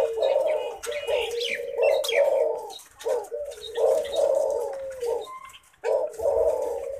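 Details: A male Tangerine Eurasian collared dove, paired with a Blond Frosty female, coos in low, hollow, repeated phrases near-continuously, with faint higher chirps from other birds in a small room.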